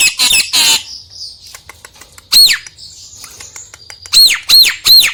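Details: Nias hill myna song meant to draw a lazy myna into singing: harsh noisy bursts, a quiet pause with faint whistles, then a series of loud arched whistles about every third of a second.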